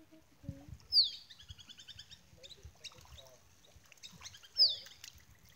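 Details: Courting male Musk Duck at Lysterfield Park, Victoria, Australia: two piercing downward whistles roughly three and a half seconds apart, with another bird's quick chirping series between them.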